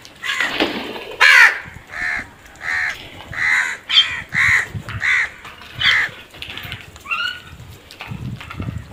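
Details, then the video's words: A crow gives loud, harsh caws in a steady series about twice a second. A final pair of rising, nasal calls ends the series, with quiet background noise. "Crow sounds"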